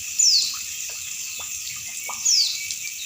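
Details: Female Oriental white-eye calling, used to stimulate kept birds: thin, high whistled notes sliding steeply downward, heard twice about two seconds apart, over steady trickling and dripping water.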